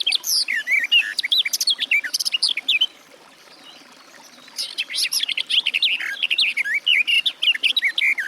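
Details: Garden warbler delivering rich, rapid warbling phrases, breaking off into a short quiet pause midway before resuming with an equally hurried stream of sweet, tumbling notes.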